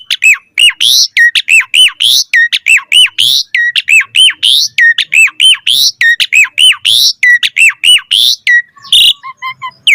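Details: Asian pied starling in lively full-variation song, used to prompt and tutor other starlings: a fast run of loud arched whistles, each rising then dropping, repeated many times without pause, with a harsher squawky note near the end.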